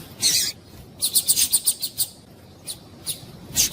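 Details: Female double-collared seedeater calling to stimulate males to sing: a harsh high chirp, then a quick run of about eight sharp, high, metallic ticks, followed by scattered single ticks, over a quiet background hiss.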